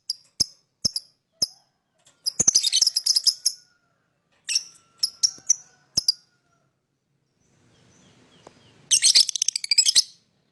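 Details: Chirping lovebird, a sound meant to attract other birds: a few isolated sharp high chirps, then dense scratchy chatter, pauses, more chirps, and a final buzzy chattering burst.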